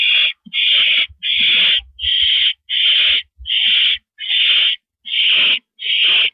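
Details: On a porch perch in the evening, April 9, 2012, 8:17 PM, an owl produces nine rough, noisy hiss-like screeches, about half a second each, at a regular pace near once per second, plus a few dull thuds.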